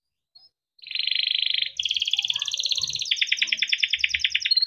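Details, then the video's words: Yellow Timbrado canary delivering long buzzy rolling trills that shift pitch in steps, with soft low knocks beneath. "Yellow canary singing video Timbrado canary singing beautiful melodic songs"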